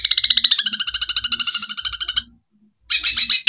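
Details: Long-tailed shrike training recording imitating sparrows: a fast chattering run of harsh, high notes, about ten a second for two seconds, then a short pause and another burst.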